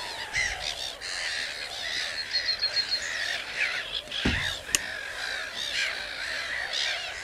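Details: Common cranes calling more softly, with harmonic notes that rise and fall and overlap. A few sharp clicks and knocks are heard near the middle.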